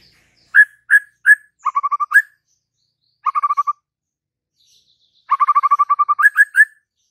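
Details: White-rumped shama singing: clear whistled notes repeated three times, then a fast stuttering trill ending in rising whistles, a pause, another short trill, and later a long rapid trill finishing with loud whistled notes.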